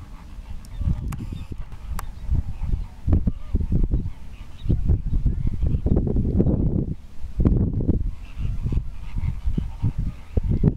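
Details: Greater flamingos displaying, giving a dense chorus of low, goose-like honks and grunts that overlap continuously and swell louder around the middle, with rough low rumbling throughout.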